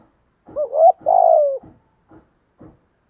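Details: Spotted dove kept as a decoy bird: a wavering rising coo followed by a long rough trilled coo that falls at the end, with faint soft clicks afterwards.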